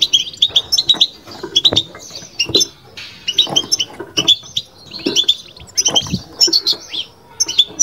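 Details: Goldfinch song in the batbata style from a kept bird: repeated bursts of sharp, high, jingling chirps and short trills, roughly every second, with faint low clicks.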